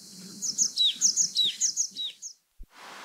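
Varied tit singing thin, high notes in quick repeated phrases, some slurring downward, for about two seconds before it stops.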